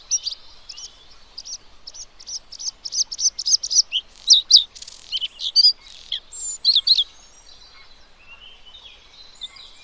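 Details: Bluethroat, given by its Bengali name নীলগলাফিদ্দা, uttering a rapid, varied run of high, sharp chirps and twittering notes. The notes swell into louder, clustered phrases in the middle, then fade to soft scattered ticks over a quiet background.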